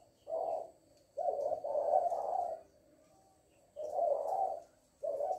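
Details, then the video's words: Female spotted dove calling in the "lối" style: a short coo, then a longer double-pulsed rolling coo, a pause, and two more low hoarse coos, with a quiet steady hum underneath. "Cu Mái lối"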